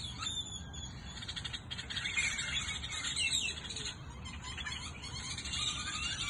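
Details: Hundreds of birds chirping at sunset in Goodyear, Arizona, a thick chorus of high squeaky twitters and brief whistled notes layered over constant low background rumble.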